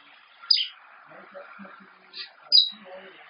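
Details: A 34-year-old female Congo African Grey Parrot, indoors and alone on a home security camera, gives short sharp high chirping beeps at the start and near the end, with soft low scraping and faint room noise between them.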